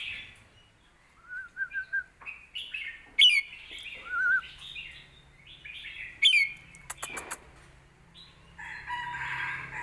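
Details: Red-whiskered bulbul song in the southern Thai competition style, used for training young birds: a series of varied whistled phrases, some steady, some slurred, with sharp high bursts near three and six seconds and brief clicking between.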